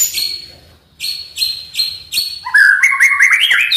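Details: Oriental magpie-robin song to prompt a silent bird to sing: clear whistled notes held high and repeated in short bursts, then a lower run of quick warbled, slurred phrases, with faint low background rumble.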